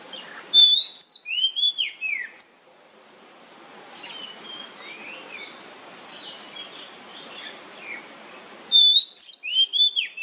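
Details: Nyemplong-style song of an oriental magpie-robin, used as a lure to set other magpie-robins singing: loud bursts of sharp whistled, down-slurred notes at the start and end, with a quieter stretch of softer warbling over hiss between.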